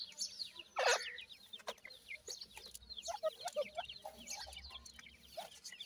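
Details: Dakhni teetar (francolin) chicks give many quick, high, downslurred cheeps in close succession. One loud rustling burst comes early, and soft low rumble sits beneath.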